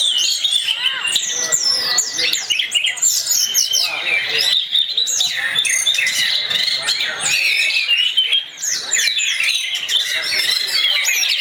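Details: Orange-headed thrush (anis merah) song used as a lure to make other thrushes sing; a dense, continuous stream of varied whistled phrases, trills and sliding notes, high and bright, with scarcely a pause.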